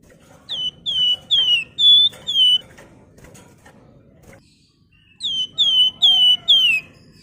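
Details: Javan fulvetta song used to prompt other birds to sing: clear whistled notes, each slurring downward, delivered in two bursts of four to five notes at a steady brisk pace with a short pause between.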